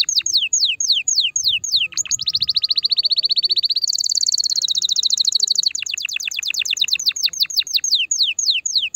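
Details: Canary song for stimulating the female: spaced downward-sweeping whistles, a rapid rolling trill rising higher, then a return to repeated sweeping notes, with faint low sounds behind.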